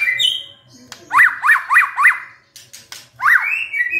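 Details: A white-rumped shama gives a quick run of four clear, arched whistled notes, then a fifth after a pause, with a few higher whistles over a faint hum; used as a lure to trigger other shamas to sing.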